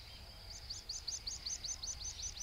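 A meadow pipit gives a quick series of thin, high 'tsip' notes, about five a second, over a low rumble of wind.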